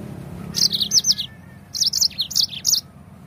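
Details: Yellow-fronted canary singing, recorded to prompt other birds into song: two lively phrases of rapid, high, sweet slurred whistles and chirps, separated by a short pause, with a low hum beneath.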